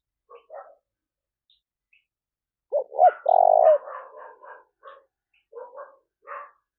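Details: Calling used to attract wild spotted doves: scattered soft notes, then a pair of quick coos and a long buzzy coo, followed by a chatter of short mixed notes in quiet surroundings.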